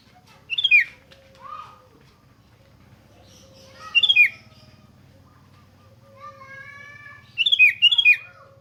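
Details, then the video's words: Sooty-headed bulbul song meant to coax other bulbuls into singing: three short bubbly, chortling whistled phrases spaced about three seconds apart, with a faint level hum and a drawn-out lower call between them. "100% RANGSANGAN SUARA ASLI KUTILANG || DIJAMIN BIKIN KUTILANG LAIN IKUT BUNYI GACOR ROPEL"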